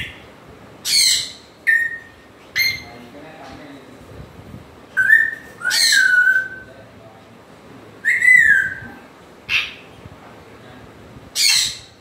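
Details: An African grey parrot alternates sharp squawks with clear whistled notes, some flat and some sliding down, spaced a few seconds apart.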